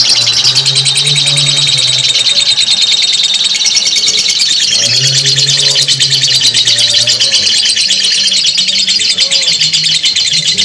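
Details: A lovebird's long ngekek chatter, a simulation recording for training other lovebirds, runs unbroken as a piercing, fast-pulsed buzzy trill for over ten seconds, over soft low humming tones in the background.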